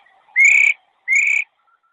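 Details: Female Chinese hwamei, 22 July 2021: two loud, clear, slightly rising whistled notes of about 0.4 seconds, separated by a short pause, with faint soft notes before and after.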